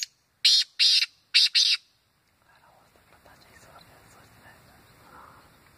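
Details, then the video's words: Black francolin call, a sound used for hunting the bird: four harsh, grating bursts in quick succession, then quiet with faint background rustle. "kala tetaar ki awaz"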